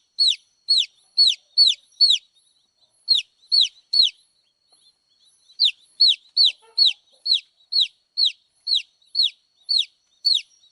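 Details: Several runs of shrill, descending peeps from baby chicks, each note short and arched, repeated rapidly with a couple of brief breaks between bursts.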